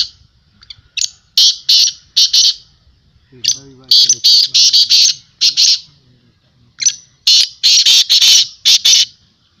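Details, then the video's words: Black francolin calling at a 2022 teetar voice tournament: repeated groups of four to five harsh, shrill bursts, with a man talking briefly in the middle gap. "Black teetar voice tournament Black Francolin voice"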